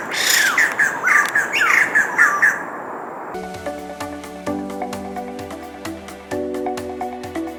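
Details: Two introduced white-crested laughingthrushes at Rifle Range Nature Park, Singapore, June 2024, in low light: about three seconds of harsh, cackling squawks, about two per second, then they cut off and plucked background music takes over.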